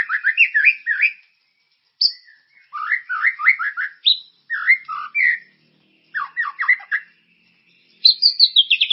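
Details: White-rumped shama bait song for prompting caged birds to sing, described as loud and full of character: quick bursts of repeated chirping notes and slurred whistles, separated by short silences, with a high rapid trill at the end.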